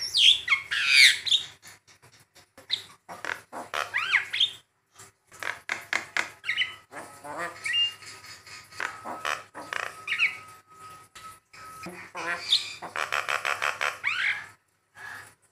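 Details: Javan myna, tutor and lure recording for training birds: a long, varied medley of slurred whistles, rasping squawks and quick chatter, with a faint steady tone in the background through the middle.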